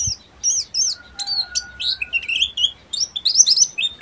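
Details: Ngeriwik song of a buxtomi Oriental white-eye: lively high chirps and wavering whistles running almost continuously, with a faint steady tone in the background for a moment.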